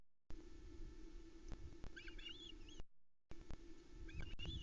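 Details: Osprey female screeching at her nest in the Arkaig Community Forest as the male arrives with a late-night trout for the chicks on 8 July 2020; short runs of thin, wavering high chirps, faint against a steady droning camera hum.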